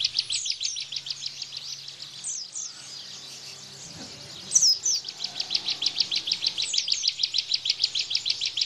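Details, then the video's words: Bar-winged prinia giving a tembakan burst song, recorded as tutor song for caged white-eyes. Fast, high chattering notes fade into a brief lull, then one sharp whistled sweep leads into a long series of quick, buzzy, high chips. "Tembakan Ciblek Bren"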